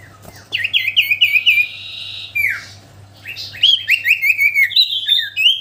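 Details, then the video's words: Common iora singing hard: rapid chirped note series broken by a held whistle and a falling slur, then another quick run of bright notes, over a low steady hum. "Cipoh sirtu gacorrr"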